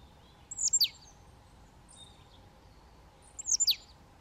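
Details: Eurasian nuthatch (Sitta europaea), call.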